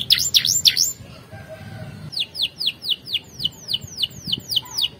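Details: Canary song used to train other canaries: three sharp loud notes, a brief quiet gap, then about twelve evenly spaced falling whistled swoops.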